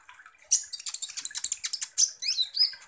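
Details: Sunbird known locally as kolibri ninja, singing vigorously; recording used as a lure to provoke other birds. A quick string of high clipped chirps, then slurred upward-sweeping whistles at the end.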